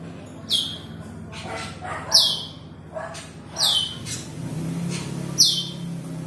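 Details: Asian glossy starling calling a rival: sharp, descending whistled notes sliding down from high pitch, given about every one and a half seconds over a steady low hum and faint background noise.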